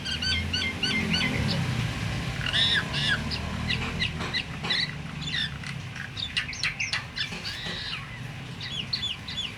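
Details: Myna sound meant to rouse other mynas, silent ones included, to call: a busy stream of chirps, clicks and slurred whistles, many rising or falling sharply, over a dense low background rumble.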